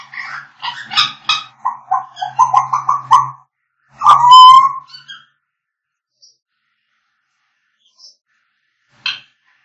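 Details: African grey parrots singing: rapid run of chattering squawks and clicks, then a loud pure whistle with ringing overtones, followed by near silence and one last squawk.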